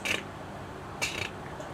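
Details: Buff-bellied Hummingbird at Hugh Ramsey Nature Park, Harlingen, south Texas, giving two brief, harsh, rattly bursts of fast repeated chip notes about a second apart, high and dry, its usual call, over a faint low hum.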